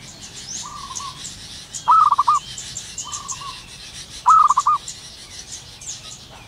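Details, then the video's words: Morning song of a local zebra dove in the wild: two bright bursts of quick, pulsed cooing about two and a half seconds apart, each preceded by a fainter dove's softer coos, with light high chirping around. "burung perkutut lokal alam gacor penuh gairah"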